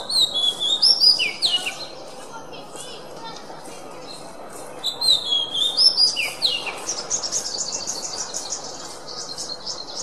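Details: Kacer, the oriental magpie-robin, in a training recording for songbirds: two bursts of varied whistles and chattering trills separated by a quiet gap, ending in a rapid buzzy rattle.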